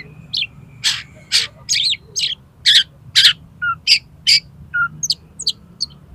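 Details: Oriental magpie-robin (kacer) in the 'konslet' style used to prompt another bird to open its tail: loud harsh chips and whistled notes roughly twice per second, some lower fluty slurs, over a steady low hum.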